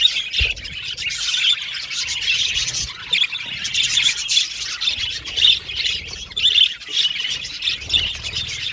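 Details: A flock of budgerigars chirping and squawking to each other. Harsh little squawks and high chirps tumble over one another in quick, uneven bursts, and loudness pulses every second or so.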